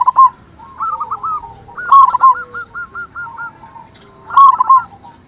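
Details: Local zebra dove singing loudly, used as a lure or master bird to stir other zebra doves into singing. Mellow cooing notes break into fast stuttering rolled series of repeated coos, with a low background rumble.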